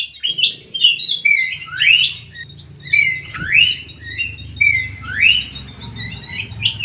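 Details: In an aviary, a greater green leafbird repeats loud rising whistled sweeps roughly every second or so, mixed with level whistles and quick chips, against a steady low hum.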